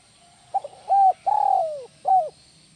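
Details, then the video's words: Spotted dove (tekukur) in the Indonesian 'kuk 1 melambung' style: two quick stuttered notes, a short hollow coo, a long throbbing coo sliding downward, then a final short coo, all low-pitched over a faint hum. "SUARA BURUNG TEKUKUR IDAMAN KUK 1 MELAMBUNG"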